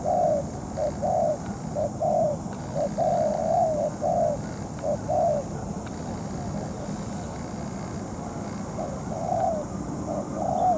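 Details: Moulting spotted dove acting as a trapping decoy: low coos in bursts, then a pause before cooing resumes, with a hum of passing engine noise in the background.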